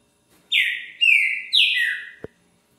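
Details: Green-winged saltator song recorded 20 February at 1:10 in the afternoon: three rich whistled phrases, each sliding downward, given in quick succession, followed by a short sharp click.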